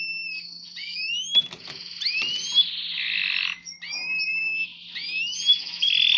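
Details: Canary singing while mating, a bright run of rising whistled slurs and buzzy trilled phrases in quick succession, with brief pauses between bursts and a faint low hum behind.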